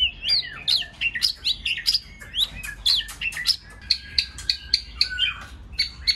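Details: White-rumped shama singing many voices to excite other birds into song: a fast, continuous string of bright whistled and chirping notes, many sharply upslurred, in a dense, lively outpouring with hardly a pause.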